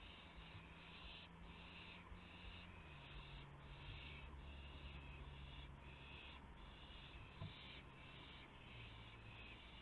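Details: Owl at its nest around 1:00 AM on 24 March 2016, when a gopher is brought in as prey. Breathy, raspy hissing bursts repeat steadily about every half second over a low steady electrical hum.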